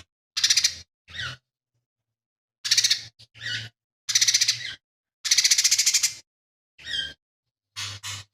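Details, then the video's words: Lesser green leafbird delivering a fast run of about ten phrases of imitated material, mixing rasping pulsed rattles with shorter slurred, downward notes, brief silences between, a faint steady hum beneath; mimicry of sparrow, kingfisher and cililin. "CUCAK IJO MINI GACOR"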